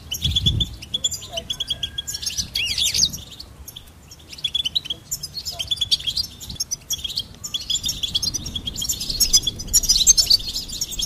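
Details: Goldfinch song: bursts of rapid, liquid twittering and buzzy high notes broken by short pauses, with a long busy trill building toward the end; faint low background noise.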